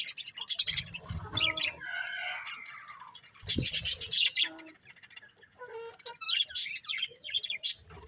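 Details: Budgerigars mix harsh, squeaky chirps with wavering whistled notes and scratchy chatter that rises and falls in intensity.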